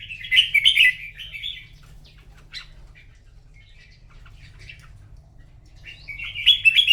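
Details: Red-whiskered bulbul singing in a morning singing contest: bright warbled phrases of quick rising and falling notes, a burst at the start, faint notes in between, then another rich phrase near the end.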